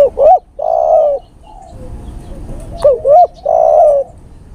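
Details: Lure recording of a male spotted dove calling to a female: a quick pair of bent, hooting notes running into a drawn-out mellow coo, a soft faint note after, then the same phrase again within three seconds.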